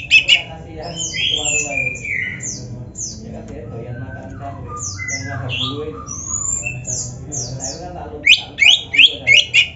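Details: Oriental magpie-robin in a recording meant to tutor kept birds, layered high descending whistles and warbles over a low hum, ending with a burst of four bright repeated notes.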